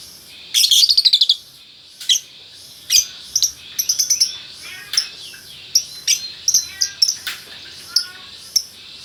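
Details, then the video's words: Male and female lovebird pair in Bukittinggi, West Sumatra: loud bursts of rapid buzzy chattering mixed with sharp clicking chirps and short squeaky notes, irregular and energetic. "Burung Lovebird Jantan Betina Bukittinggi Gacor"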